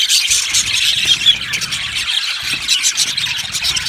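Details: Budgerigars chirping in a colony aviary, continuous overlapping high twitters and squeals, one brief clear whistle near one second, the chorus slightly softer later.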